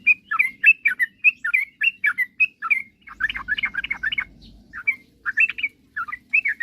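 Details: Chattering song of a sooty-headed bulbul, meant to spur rival birds to sing: clear whistled chirps at roughly two per second, a denser burst in the middle, then more spaced notes, with low hum beneath.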